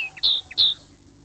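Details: Common linnet (Linaria cannabina) in a garden, spring and summer 2021, a pair feeding young. Two loud clear whistled notes are each preceded by a short lower chirp, then quiet.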